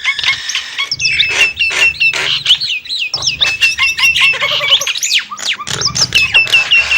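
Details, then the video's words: Nias hill myna pouring out a busy stream of loud whistled and squawking notes, twisting up and down in pitch with no set pattern. "the alluring sound of the Nias starling"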